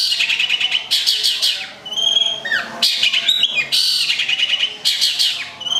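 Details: Kept long-tailed shrike, local bird from Gedong Songo in Central Java, delivering rapid rattling bursts of buzzy notes alternating with clear whistled slurs and a sweeping downward note, loud and close.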